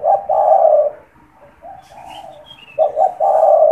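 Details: Caged spotted dove that coos at any moment, used as a lure: a long loud low coo, a pause of softer coos with faint high chirps of small birds, then a stuttered double note and another long coo.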